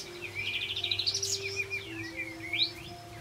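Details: Lively olive-backed white-eye delivering a rolled whistle song, meant to prompt non-singing white-eyes to sing; a fast rising trill of high notes followed by swooping slurred whistles, over a faint low hum.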